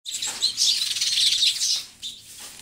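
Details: House sparrow chattering, a dense burst of bright, overlapping high chirps for about two seconds, then a few softer scattered chirps.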